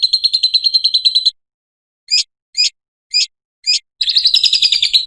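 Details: Lovebird ngekek trill, a lure and master sound for training lovebirds: a fast pulsed chattering trill, then four separate sharp rising chips about half a second apart, then the rapid trill returns.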